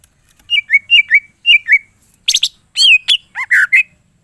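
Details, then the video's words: Greater green leafbird singing a lively, full-repertoire song: paired slurred whistles repeated three times in steady rhythm, then a burst of rich, rapid, varied notes with rising and falling whistles. The recording is clean, with no background noise. "cucak ijo mana saja akan ikutan bunyi dan gacor dengar c ijo ini bongkar full isian"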